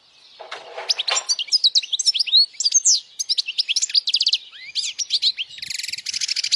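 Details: Powerful European goldfinch song for young birds to memorize and to draw in females: a continuous tumbling stream of high twittering, liquid chirps and short trills, ending in a dense buzzy rattle.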